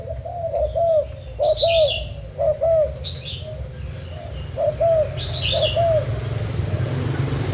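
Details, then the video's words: Thai spotted dove kept as a decoy, úp cooing, 10 April 2018: paired low coos repeated in short bursts separated by pauses, with occasional higher chirping and a background hiss. "Cu gáy mồi úp thailand"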